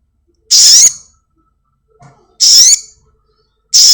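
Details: House-kept black-winged myna in a lure recording meant to trigger singing in caged birds: loud, harsh, high whistled notes about two seconds apart, each with a bending tone, with silence between.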